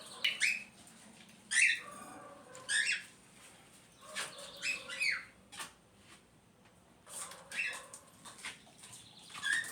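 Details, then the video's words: Cockatiel chattering: a run of short harsh squawks and scratchy chirps roughly every second or two, varying in loudness, with softer sounds in between. "as calopsita fazendo barulho"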